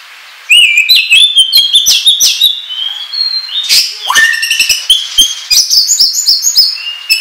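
An Oriental magpie-robin pours out a fast, varied run of clear whistles, sweeping slurs and sharp clicks, high-pitched and almost without pause.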